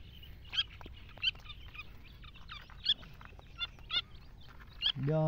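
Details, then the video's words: Iranian partridges and their chicks at a meeting: short, bright chirped calls every half second to a second, with quieter clicks between and a steady low hum underneath, ending in a sudden low droning tone. "Irani dhkni gory tetar meeting"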